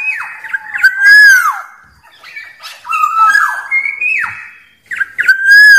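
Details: Wild Black-naped oriole singing to challenge rivals: repeated fluty phrases, each a sharp note dropping into a rich rising-and-falling whistle, three or four phrases with short gaps between.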